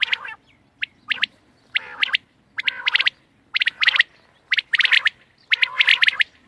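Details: Loud close quail calling, dated 31 March 2024, with rapid bursts of three to five crisp, high clipped notes, spaced about a second apart, some blending into buzzy clusters.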